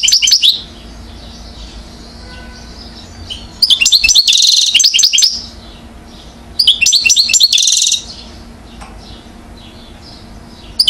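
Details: European goldfinch, one year old, Mouzaia, Algeria, 2012, sings in three separate bursts of quick, tinkling twitters mixed with buzzy trilled notes, each burst lasting one to two seconds and separated by quiet pauses.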